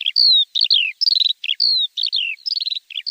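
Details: Javan bush lark tutor song for training caged birds: long falling whistles mixed with buzzy stuttered rattles and doubled twitters, repeated in a steady looping pattern without pause.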